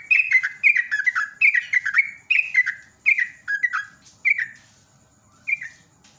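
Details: Sooty-headed bulbul in vigorous rapid ropel song, used as a lure: rich, bubbly phrases of short downslurred whistles, tumbling almost without pause for four seconds, then a single late phrase after a short silence.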